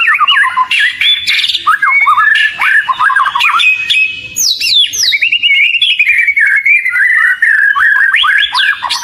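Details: Oriental magpie-robin, a highly vocal kacer, pouring out a long varied lure song of quick whistles, chirps and upward sweeps, with a rapid trilled stretch in the latter half.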